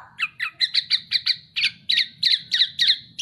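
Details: High, clipped chirps from a black-naped oriole on a masteran training recording, repeated about three times a second in a regular, pulsing series, with a faint low rumble underneath.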